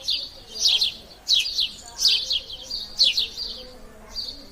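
Sparrows chirp in quick bursts of bright, high notes, several birds overlapping in irregular clusters about once a second.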